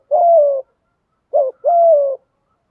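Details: Spotted dove coo used to stimulate wild doves: one long, soft, falling coo, then after a pause a quick wavering note and another sustained, slightly descending coo; clean with no background.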